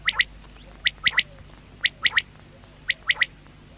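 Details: Batair calling steadily: four clear three-note phrases, each crisp and rhythmic, repeated about once a second, with a quiet hiss behind.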